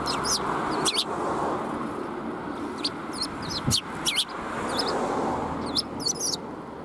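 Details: Sparrows arriving to be fed on a shrine approach, 17 March 2021: scattered sharp chirps, single and in small groups, with a constant background hum of passing vehicles.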